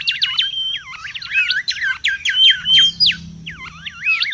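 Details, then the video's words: Mangrove whistler in the wild, song used as a lure and tutor: rapid looping and dipping whistled notes with a thin sustained whistle partway through, delivered in quick, uneven bursts. "SUARA PIKAT DAN MASTERAN BURUNG KANCILAN BAKAU RIBUT DI ALAM LIAR"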